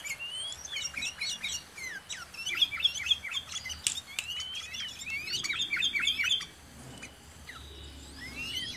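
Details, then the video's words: Sooty-headed bulbul, locally called kutilang or cangkurileung, recorded around a home: dense bursts of short, sharply slurred whistles and chirps, some notes sweeping down, others rising, several phrases overlapping, with a quieter pause near the end. "SUARA BURUNG KUTILANG, CANGKURILEUNG | SOOTY HEADED BULBUL SOUNDS"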